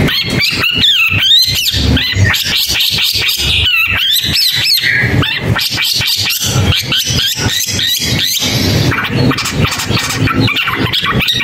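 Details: Long-tailed shrike in sustained, energetic song: dense rhythmic chattering strokes mixed with wavering whistled sweeps, delivered continuously for several seconds with little pause, light background noise underneath.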